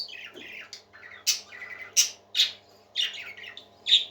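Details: Pet parakeets in cheerful song: descending twittery phrases, buzzy chatter and several loud, clipped squawks, irregularly spaced.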